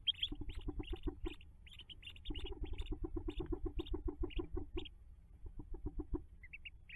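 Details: May 5, 2024 hooded merganser nest jump by ducklings: a long rhythmic series of low, throaty pulses, broken by a short pause, with clusters of high peeps above and a few rising peeps closing.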